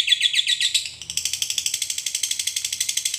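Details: Lovebird giving a long ngekek chatter, used as a master recording for training other lovebirds. Shrill, harsh notes repeat about four per second, higher and more broken in the first second, then a steady rattling run.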